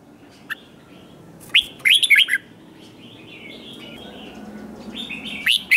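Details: Red-whiskered bulbul in fired-up competitive singing, meant to spur newly caught birds to sing back: short bright warbled whistled phrases near 1.5 s to 2.4 s and again at the end, separated by quiet gaps with faint background hiss.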